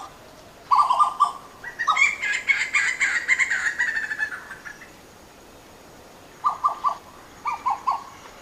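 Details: Western Plantain-eaters in a wild chorus of yelps: short bursts of loud hoarse notes, a noisy overlapping stretch of higher harsh calling, then further clipped yelp groups of three after a quiet gap.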